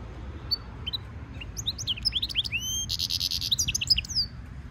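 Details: European goldfinch mule, a goldfinch hybrid, singing training song: scattered sharp chips building into fast twittering, clear whistled slurs, a dense buzzy trill and quick descending notes.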